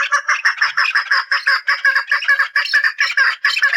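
A chukar gives a rapid, unbroken run of harsh, clucking chuck notes, several per second, loud and hoarse throughout with no other sounds.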